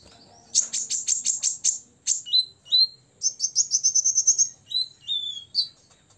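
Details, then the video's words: A six-year-old olive-backed sunbird sings a high, rapid burst of sharp ticking notes, then a fast trill and short rising whistles, all very high-pitched. "kolibri ninja ngobra 100% bikin lawan EMOSI"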